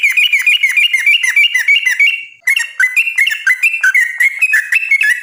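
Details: Yellow-vented bulbul with a long rolling song used to lure others into singing: quick repeated bubbly notes, a short break, then clearer slurred whistles.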